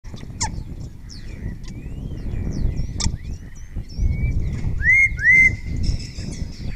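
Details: Spotless starling singing at close range in Cabañeros National Park, Spain, answered by other starlings; repertoire includes imitations of other birds. Sharp clicks and short whistles build into loud rising-then-falling slurred whistles, with low rumbling background noise.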